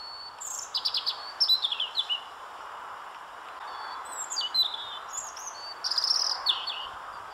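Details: Song of a European robin, made of short high phrases of clear whistles and quick trills with brief gaps between them, heard over a constant low rushing background noise.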